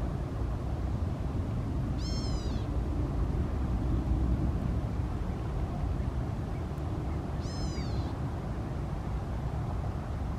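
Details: Endangered California Gnatcatcher gives two high, kitten-like mew calls, each falling slightly and about five seconds apart, over a steady low traffic rumble; filmed at Peters Canyon Regional Park or Upper Newport Bay Nature Preserve, California, November–December 2017.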